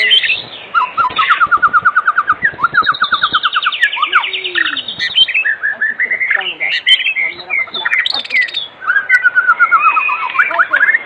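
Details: Loud afternoon lure song of a white-rumped shama to make others sing: rapid repeated trills, a high buzzy descending sweep, then varied whistles and sharp chirping notes in fast succession.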